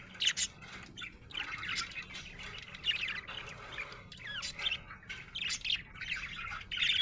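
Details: Happy budgie chirping: rapid squeaky twitters and rising, scratchy warbled notes tumble one after another, ending in a louder chattering burst over a faint low hum.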